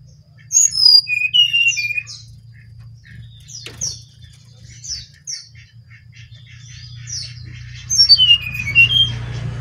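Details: Brown-chested jungle flycatcher in full song, with descending whistled phrases at the start and end and short sharp chirps scattered between them, over a steady low hum.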